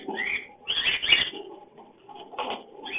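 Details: Breeding lovebird giving its mating sound: shrill, scratchy chirp clusters in three bursts, early, around one second and at two and a half seconds, with softer raspy chatter between.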